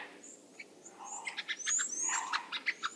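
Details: White-backed vulture (Gyps africanus) in Greater Kruger National Park giving harsh, squealing cackles in a quick burst of about seven notes, with thin high whistles from other birds behind.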